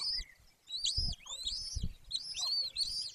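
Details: Golden eagle nest in Bucovina, Romania, Carpathian mountains, mid-May 2024 afternoon: shrill rising-then-falling whistles in short bursts, with pauses between them and a few dull low knocks.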